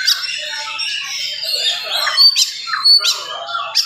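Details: Fast, tightly packed morning song of an oriental magpie-robin, played to excite other magpie-robins; warbled whistles punctuated by sharp, loud chip notes.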